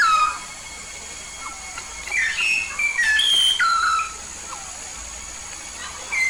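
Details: Yellow-faced myna from Papua, known as a frequent singer, opening with a falling whistle, then after a gap a two-second run of varied clear whistles, some sliding down, over background hiss.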